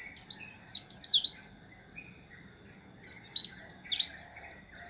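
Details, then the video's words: White-eye singing bright, rapid, high twittering phrases of sweeping whistled notes that tumble up and down. A burst opens, then a pause of about a second, then a second, longer warbling run. "Suara burung pleci"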